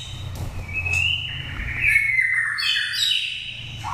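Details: Oriental magpie-robin, a nest-raised bird from Daklak, Vietnam, five seasons old, giving a wild-type lure song: clear whistled notes sliding downward, then rising and falling warbled phrases with bright upper trills, over low background rumble.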